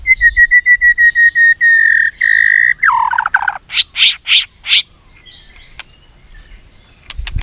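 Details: White-rumped shama song, used to train other shamas: a steady series of about a dozen clear whistles, a long held note, a dropping slur, then loud harsh bursts and faint clicks.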